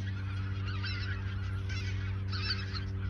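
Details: A flock of geese in the Ochsenmoor reserve during autumn 2022, a few days ahead of migrating south, gives loud clustered honking in bursts against a strong low-pitched hum.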